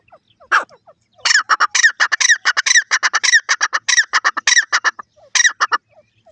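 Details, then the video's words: Grey francolin (teetar) in a fast, loud burst of harsh, squawking, repeated notes, delivered in rapid groups after a single opening note, with short pauses between the groups. "Partridge voice, Teetar bird voice, Teetar sound"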